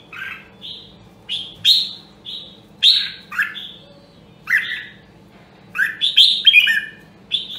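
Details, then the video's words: Red-whiskered bulbul of the rare Nam Đông, Huế voice line, kept for voice training, sings short bright warbled phrases, each rising then falling, separated by brief pauses, over a faint steady low hum. "Luyện giọng Chào Mào Nam Đông Huế Hàng Hiếm Còn Sót Lại ! giọng cực chất"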